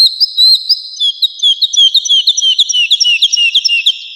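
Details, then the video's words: Actively singing woodlark, recorded as tutor song for kept songbirds: bright whistled notes in quick succession, rising and dipping, repeated roughly three times a second over a sustained high tone. "Woodlark Gacor | Suara Merdu"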